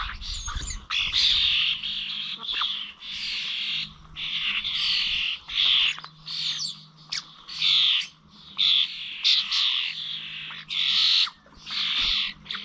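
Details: Common starlings feeding at Corby Old Village bird feeders, 21 November: a long run of loud, rasping, hissy chatters in separate bursts, each under a second, now and then with brief whistled notes, over a faint hum.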